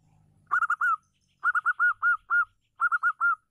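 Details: A local wild-type female zebra dove, used to lure other doves into calling, gives three quick bursts of soft, mellow coos, four to six short notes each, with a faint low hum at the very start.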